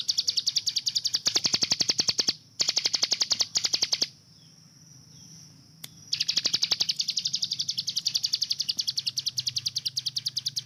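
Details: Hill prinia kept as a master bird for training other songbirds, delivering its rapid-fire 'tembakan' song: dense high ticking bursts repeated several times a second in runs of one to two seconds, with a brief quiet gap mid-recording.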